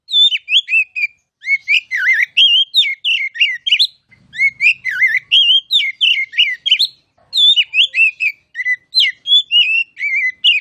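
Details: Oriental magpie-robin song used as a tutor recording: loud, varied whistled phrases with slurred rising and falling notes, delivered in bursts of rapid notes separated by brief pauses, clean with no other sounds.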